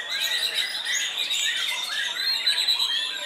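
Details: Caged white-rumped shama singing aggressively at a song contest, where it took first place in its class with a fighting style. Loud, varied whistled phrases with steady high notes and quick slurred trills, while other birds chatter behind.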